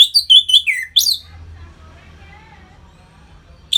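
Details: Caged Orange-headed thrush giving ngeplong song meant to provoke breeding readiness in other birds: quick, loud, jumbled whistled notes and falling slurs for about a second, then low background rumble, with a new note at the end.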